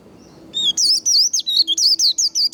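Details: White-eye 'líu' fighting song, meant to fire up and train singing birds: quiet low background, then from half a second a dense burst of high slurred notes delivered in quick succession.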